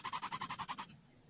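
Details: Young greater coucal chick begging for food, giving a quick run of eight harsh, buzzy pulses in under a second, then falling quiet.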